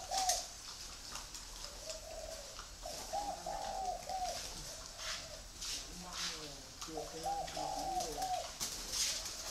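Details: Free-range breeding spotted doves in Ba Vì, Hanoi, Vietnam, giving low hollow cooing phrases in groups of wavering notes, with pauses between phrases, over a steady hiss and some faint background voices.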